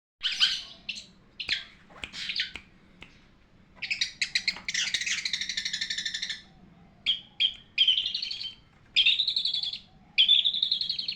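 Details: Long-tailed shrike song used as a tutor recording for training birds: scratchy harsh bursts, a sustained rasping chatter, then clearer whistled phrases with rising and falling notes separated by short pauses.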